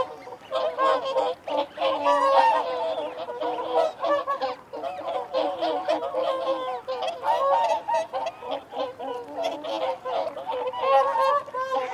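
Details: A flock of whooper swans calling continuously while feeding and defending territory, many nasal bugling honks overlapping in a rapid, uneven stream without pause.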